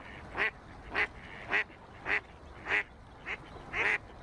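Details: Duck quacks near ducklings swimming in a pool: harsh, nasal single quacks, spaced roughly every half second, over steady background noise.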